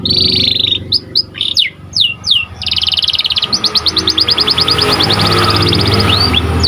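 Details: Panda canary delivering a buzzy roll, sharp falling whistles and a long fast rattle of repeated notes that grows fainter, partly masked by rising broadband hiss and low rumble.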